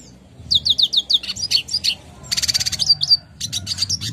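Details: Red siskin singing clearly, recorded as tutor material for caged birds: a string of quick falling chirps, then a rattling buzzy trill, followed by more high twitters, with a low background hum.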